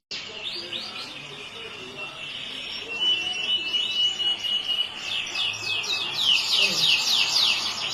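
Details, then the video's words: Yellow canary singing a long, fast song: rapid repeated twittering notes, a steady high whistled stretch in the middle, then quick descending trilled phrases growing louder toward the end. "burung kenari yellow"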